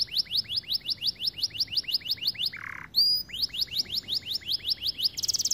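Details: ['White canary singing a rapid series of repeated downward-sweeping high notes, broken by a short buzzy burst and a few pure whistled tones before the fast trill resumes.']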